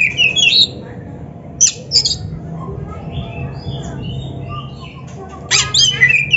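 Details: Oriental magpie-robin singing in a training recording for novice kacer: a rapid twittering burst opens, a few sharp notes follow, then faint soft notes and a final burst of mixed whistles.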